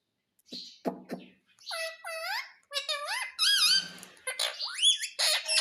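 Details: Indian ringneck parrot talking, said to be saying "mummy mummy": a few low spoken syllables at the start, then a run of high, bent, harmonic squeaky word-like calls rising and falling, some ending in a sharp upward sweep.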